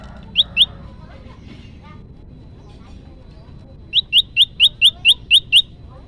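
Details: Olive-backed tailorbird song as a lure for trapping: two sharp rising chips, a pause filled with faint voices, then a brisk series of eight evenly spaced upslurred notes.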